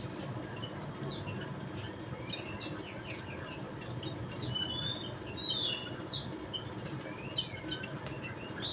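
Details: Javan munia, known locally as emprit bondol jawa, giving scattered high sharp chips and thin slurred notes, irregularly spaced, over faint background noise.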